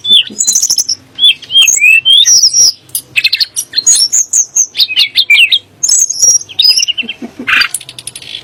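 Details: A Sunda blue robin sings, a sound meant to provoke kacer and muri; varied phrases of slurred whistles, rising flicks and high chattering clicks come in bursts.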